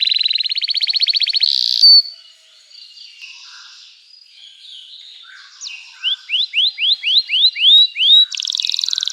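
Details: Canary song used as a lure to teach young canaries to sing and as therapy for canaries that have stopped singing: a fast buzzy trill, a pause, then a series of rising whistled upsweeps and another rapid trill.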